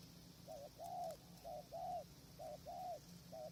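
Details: Spotted dove calling at a tented decoy-trapping site in strong wind, with wild birds far off; paired low coos, a short wavering note then a longer arched one, repeated about every second over a steady low hum.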